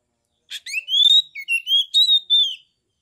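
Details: Caged Oriental magpie-robin from Kebumen, Central Java, in fighting mood, its song meant to provoke rival birds: a clear, sustained whistled phrase, then rising and falling whistles lasting about two seconds.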